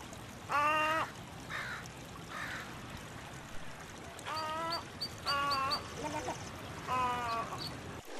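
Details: Snowy egret calling: a series of harsh, nasal, harmonic-rich squawks, each about half a second long, given in irregular bursts with short gaps, over a faint background hiss.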